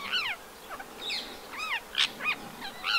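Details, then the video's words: Rose-ringed parakeet in the town of Empuriabrava, Catalonia, on 26 January 2022 in winter, giving harsh, screeching arched calls, about six in three seconds at an uneven pace, with faint background hiss. "PERRUCHE à Collier/Psittacula krameri/Hiver ! BRUITX"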